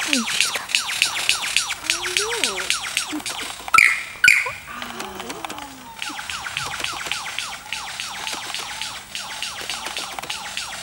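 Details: A male superb lyrebird (Menura novaehollandiae) in courtship display in a sanctuary enclosure near Melbourne, Australia: a dense stream of quick, high, downward-swept chirps, two loud sharp notes midway, and a few low sliding tones.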